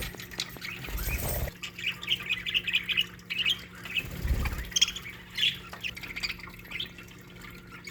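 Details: Budgerigars living as a colony in an aviary chatter busily with rapid, repeated chirps and squawky warbles, and two low bumps of movement interrupt the chatter.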